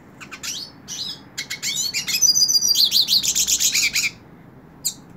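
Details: A hooded siskin held in the hand sings a short, fast phrase of high chirps building into a bright, buzzy twittering trill with a thin whistle, then falls silent before one final note.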